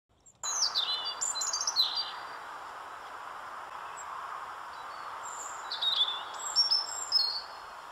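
A European robin sings two high, thin, tinkling phrases of quick wavering notes, separated by a pause of a few seconds, over a steady rushing background hiss.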